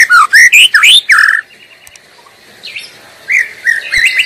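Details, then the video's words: A wild white-rumped shama in its natural habitat sings a rapid run of rich, bending whistles, then pauses and resumes with higher sweeping phrases. "Burung murai batu sedang ngoceh gacor"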